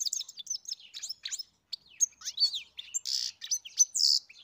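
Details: European goldfinch singing: a fast, tinkling run of high twittered notes and liquid slurs, broken by brief buzzy rasps near the end and short pauses between phrases.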